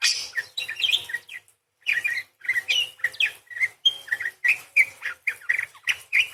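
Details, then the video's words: Energetic parakeet in full gacor song, long 'beset crecet' roll; dense, harsh twittering chatter with one brief pause, then rapid repeated rasping chirps and short whistled notes running to the end. "PARKIT GACOR !! full materi nembak panjang beset crecet roll basic dasar murai // parakeet bird call"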